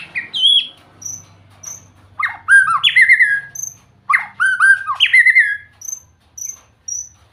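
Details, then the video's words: White-rumped shama singing sweetly: loud, varied whistled phrases that swoop and slur in pitch, delivered in rich bursts separated by short pauses, with high thin notes above. "เสียงนกบินหลาดง ร้องเสียงเพราะ"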